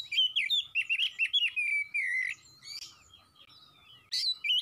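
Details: Oriental magpie-robin singing briskly: quick, rich whistled notes and twittering phrases in a continuous stream, then a softer stretch and a final loud burst.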